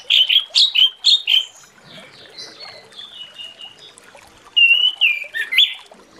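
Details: Orange-headed thrush in the morning, in a full open song meant to coax other thrushes to sing: a quick run of five sharp chirps, a pause of soft warbling, then bright downslurred whistles.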